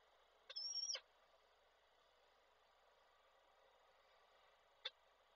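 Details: Male peregrine falcon calling the female as he brings a prey gift, Koszalin, Poland, 16 February 2024, online falcon camera; one drawn-out high whining note, then a lone sharp click after a long pause, over background hiss.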